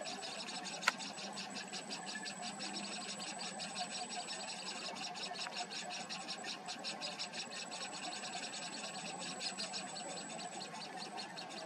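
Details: Chestnut (Black-headed) Munia nestlings on the nest keep up a dense, rapid chatter of thin, high ticking notes while a parent feeds them, with a faint steady hiss behind.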